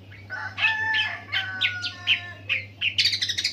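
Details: Long-tailed shrike sings a long rolling song that imitates various birds. It is a rapid, varied stream of chirps, whistled slides and trills that ends in a buzzy high chatter. A steady low hum runs underneath.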